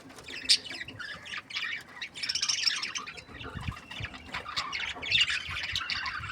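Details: Breeding pairs of budgerigars chirping happily, a dense, continuous chatter of high, scratchy warbles and short squeaky notes overlapping from several birds, with faint low rumble beneath.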